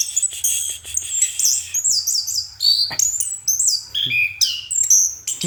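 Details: At night an orange-headed thrush sings fast, intricate phrases of warbled high whistles, wavering slurs and sharp chips with scarcely a gap, over a soft low hum.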